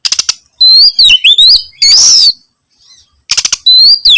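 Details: Energetic Oriental magpie-robin hunting for a rival, giving quick rattling clicks, then a string of sweet looping whistles and a long buzzy rasp, then more rattles and whistles.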